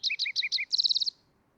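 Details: Green-tailed towhee: four paired notes, each a high note dropping to a lower one, then a quick run of about eight high, dry, even notes. The phrase fades out within a second.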